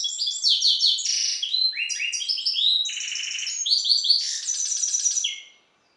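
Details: Goldfinch hybrid of Balkan goldfinch lineage, a captive breeder's bird, delivering a rich, rapid song of sharp chirps, rolling trills and short buzzy notes, high pitched and unbroken for over five seconds before stopping.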